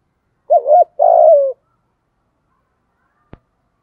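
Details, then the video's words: Lure spotted dove singing in 'giọng thổ' style, said to bring wild doves to coo: a single phrase of two quick wavering coos followed by a longer coo that slides down, then silence and a faint click. "cu gay giong tho cuc dinh mở là 100% bổi gáy"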